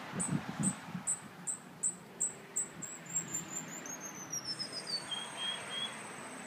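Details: A Cuban bullfinch of the Las Villas type sings thin, very high notes about three times a second, then a descending slurred run ending on a lower drawn-out whistle, over a low background rumble.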